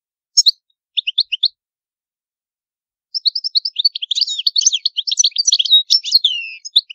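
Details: European goldfinch, Palermo Sicilian old-style song, clean recording without background noise: a few separate high chirps, a pause, then a fast, dense, twittering run of bright notes building to continuous warbling.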